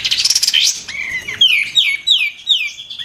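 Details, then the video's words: Singing white-eared bulbul (kapas tembak), prized for loud, sharp 'shooting' song: rapid buzzy chatter giving way to a run of five clear falling whistles about every third of a second. "KAPAS TEMBAK GACOR RAPAT"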